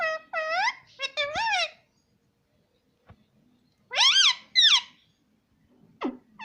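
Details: Talking pet parrot: two bouts of rich, bending, speech-like syllables, the first near the start and the second after a silent gap, plus one quick downward squawk at the end.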